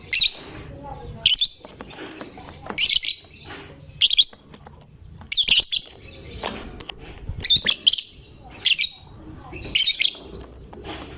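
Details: Caged gacor fighter lovebird singing to prompt other lovebirds to join in: loud shrill chirp bursts between 2 and 8k, about every one to one and a half seconds, with quieter twittering and faint background noise between.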